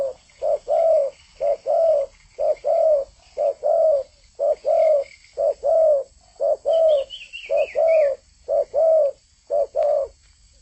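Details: Spotted dove singing energetically. It gives a long, regular series of short-plus-long coos, about one pair per second. Another bird adds a brief high, descending twittering run midway.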